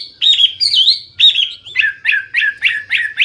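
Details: Hwamei (wambi) singing loudly: a few drawn-out whistled notes, then a series of short, emphatic phrases repeated about twice a second.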